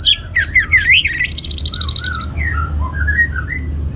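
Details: Orange-headed thrush lure song, played to stimulate other birds to sing: a rich run of varied whistled phrases, starting with loud looping slurred notes, then a fast trilled series, then softer falling whistles over low background hum.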